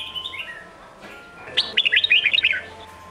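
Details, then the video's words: Red-whiskered bulbul, competition-training song in the Sông Kôn style; a few soft notes, a pause, then one loud, fast phrase of choppy, bubbling whistles lasting about a second. "Luyện Giọng Chào Mào Đỉnh Cao | Tận Hưởng Âm Thanh Tuyệt Vời Của SÔNG KÔN | Ép Giọng Chim Non"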